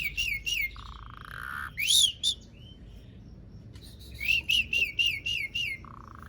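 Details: Asian pied starling song used to get silent starlings singing; a string of short, evenly spaced whistled notes, a longer flat tone, a loud rising squeal and a drawn-out lower whistle.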